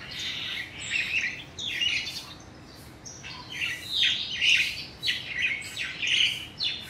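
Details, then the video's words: Crested myna, one of two in the area, mimicking other birds, mostly juvenile yellow-vented bulbuls: bursts of harsh, chirpy, squawking notes in clusters about a second apart, louder toward the end. "A Crested Myna Mimicking Other Birds"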